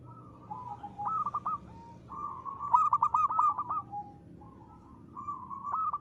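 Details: Local zebra dove in lively ngristal-style song: purring coos lead into a long, loud run of rapid clipped notes, then softer rolling coos taper off and resume at the end.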